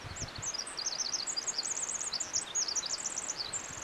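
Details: A Pacific Wren sings on July 6 along a hiking trail by a pool: a long, very high, rapid tumbling song of tinkling notes and trills, with a soft low rumble of outdoor noise underneath.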